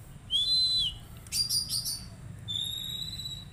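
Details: Oriental magpie-robin song from a therapy routine for an untrained bird: a long flat whistle, a burst of buzzy rasping notes, then a thin sustained high whistle over faint hum.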